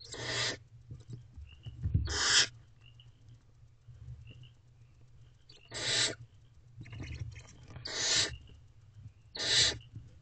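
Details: Owlets and a female barn owl in a nest box during a night feeding in April: five breathy, rasping screeches spread irregularly over ten seconds, with faint rustling between them.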